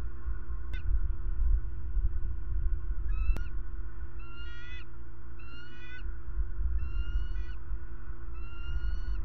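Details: Bald eagles in Florida giving a series of thin, high, squeaky chirping calls with ringing overtones, in short bursts roughly every 1.2 seconds, over a steady low electrical hum.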